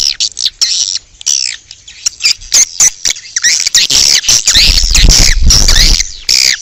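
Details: Outdoor swiftlet call recording used to lure swiftlets: busy, high-pitched chirping and twittering throughout, with rapid overlapping notes and short gaps, growing denser toward the end over a low rumble.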